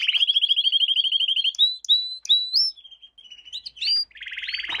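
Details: Canary lesson song for young birds: quick repeated chip notes, then separate rising whistled slurs with gaps, ending in a dense buzzy trill.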